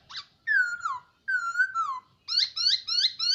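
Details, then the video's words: A caged hwamei, kept for a year, gives two long ringing whistled phrases that dip downward, then switches to four quick, bright, repeated notes in a rapid burst. "Poksay noog sab hwj quaj zoo"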